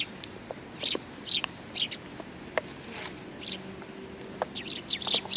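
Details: Eurasian tree sparrows coming to be fed at a Tenmangu shrine on 20 September 2020; short bright chirps repeated irregularly through the clip, several birds calling, with faint low hum beneath.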